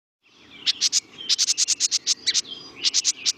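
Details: A House Wren gives its angry, threatening annoyance call, a harsh, scratchy chatter of about eighteen quick high notes in uneven bursts, with a faint low background hum; house wrens use this feisty chattering often.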